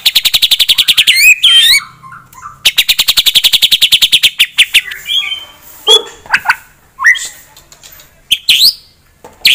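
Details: White-rumped shama song aimed at provoking a rival: long fast rattles of clicking notes framing a slurred whistle, followed by scattered sharp calls and short upswept whistles.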